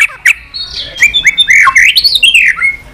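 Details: White-rumped shama in stimulating 'tạch' song: loud, fluid, slurred whistles rising and falling in quick succession.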